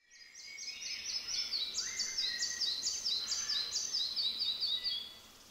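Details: Red-breasted flycatcher singing in the Dobříš forest district, Czechia, on 28 May 2023 during nest-box checks: a bright, high series of quick repeated notes that rises and then falls in a cascading run. Faint background noise.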